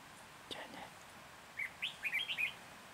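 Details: Decoy red-whiskered bulbul singing during trapping in Hòa Bình, Vietnam, on 14 January 2021: a quick run of five or six clear, looping whistled notes, bubbling up and down, after a faint rustle.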